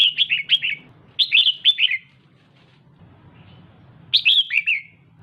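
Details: A female red-whiskered bulbul stimulates the male with rapid chains of clear, slurred notes that tumble downward. The chains come in three groups, with a silent gap before the last.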